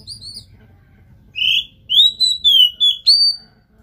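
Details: Oriental magpie-robin launching into a spirited song after faint notes: a buzzy start, then a rapid chain of clear, rising and falling whistles, ending on a sharp upward note.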